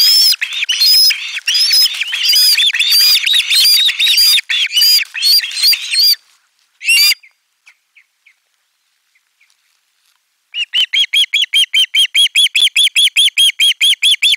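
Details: Osprey chicks at nest 4 on 18 July 2022, screaming loudly in chorus as a fish is brought in: dense harsh repeated squeals, then a short pause with faint notes, then a steady run of sharp calls about five per second.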